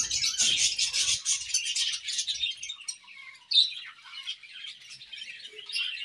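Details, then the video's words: Morning song of a budgerigar pair in an aviary: a rapid, dense twittering chatter that thins into softer scattered chirps and a brief sharp note. "A Beautiful Morning with Budgie Pair | Serenade in the Awesome Aviary"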